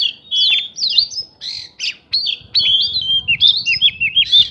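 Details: White-rumped shama singing to make other birds respond: varied loud whistled phrases and harsh squawky notes, with sharp slurs and quick pitch jumps separated by short gaps.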